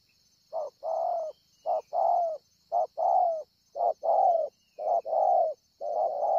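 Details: Cooing wild spotted dove, recorded at Ngọc Hồi, Vietnam, 25 March 2020: six paired phrases, each a clipped short hoot followed by a drawn-out falling coo, about one pair per second, over a constant high-pitched drone.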